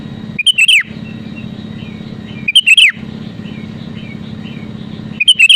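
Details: Sooty-headed bulbul (kutilang), singing actively, played to push rivals into singing: short bubbly whistled phrases of rapid slurred notes ending in a downward slur, repeated about every two and a half seconds over a constant low drone.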